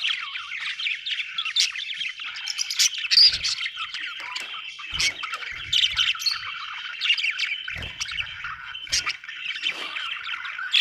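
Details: Long run of budgie chirping, a constant warbling chatter studded with harsher squawks and high chirps, plus a few low soft knocks.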